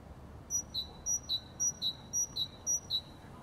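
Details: Great tit in spring delivering its plain two-syllable song, high then lower note, repeated about nine times in even rhythm, roughly twice per second, clear and loud over faint background.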